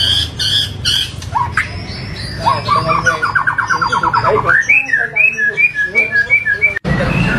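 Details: White-rumped shama with 'full tembakan' coarse variations: sharp opening notes, a fast rattling trill of repeated clipped notes, then a string of bright, rising whistled syllables delivered rapidly.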